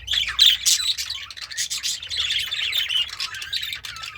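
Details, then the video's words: Contented pet budgie chirping and singing while eating greens: a continuous stream of fast, scratchy chirps, clicks and little squawks with no break. "The Sounds of a Happy Budgie - Chirping, Singing, and Eating Greens"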